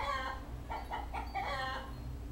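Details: Male pet common hill myna mimicking human speech, saying "good morning": a short run of harmonic, voice-like syllables in quick succession midway, over a steady low hum.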